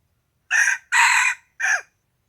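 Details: Morning crow of a chicken, recorded 27 February 2020: three loud raspy bursts, a short first note, a longer sustained middle phrase and a final clipped note sliding downward, with no other clear sounds.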